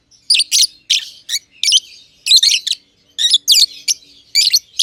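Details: Green personata lovebird and green pied personata lovebird in an aviary, giving shrill, rasping chirps in rapid succession, nearly continuous bursts packed tightly together.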